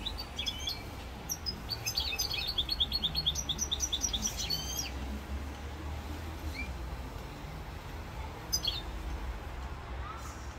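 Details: Goldfinch song recorded in Corsica on 7 November 2022: a fast liquid run of repeated chirps for about five seconds, then near silence apart from one short high twitter, with faint low rumble beneath.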